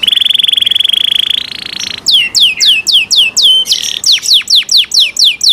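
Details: Canary cenkok song: a steady buzzing trill rising slightly in pitch, then a long series of loud falling whistled sweeps repeated roughly four per second.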